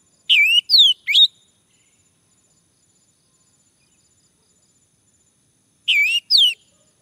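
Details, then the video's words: A male orange-headed thrush gives short bursts of three bright, rising, upslurred whistles. A pause of about five seconds follows, then two more similar whistles. The recording serves to prompt singing, and the background is silent. "Anis merah jantan, agar bunyi"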